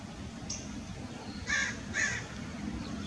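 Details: A common gallinule, filmed in summer, gives two harsh, nasal squawks half a second apart over a low, steady rumble.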